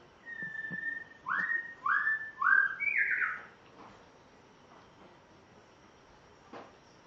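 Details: Spotted morning-thrush (Cichladusa guttata) from Tanzania, on its first day at home, sings a short run of clear, rich whistles: a level note, three swooping phrases, then a higher closing one, followed by faint knocks.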